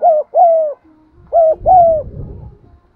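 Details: Spotted dove calling in cooing and urging style to attract other doves; two pairs of mellow, slightly falling coos, with a low rumbling noise rising under the last coo and fading after.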